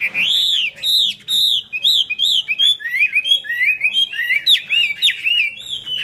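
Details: Singing Chinese hwamei performing the 'hót xòe' style with eagle-wing display. Strong arched whistles open the song, followed by a fast chain of twisting, warbled notes that rise and fall without a break.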